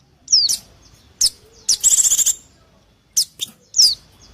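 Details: High falling chirps and a rapid buzzy rattle from a Mountain white-eye, a lure for wild birds, with a few short sharp ticks between.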